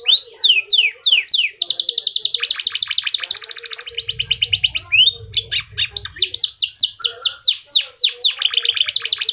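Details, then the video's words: Canary of the F1 line singing a distinctive song style used to prompt other canaries to sing: rapid bright trills, rising whistled sweeps and buzzy rolled phrases, loud and continuous, with a faint low rumble midway. "Kenari f1 cengkok unik pemancing suara kenari"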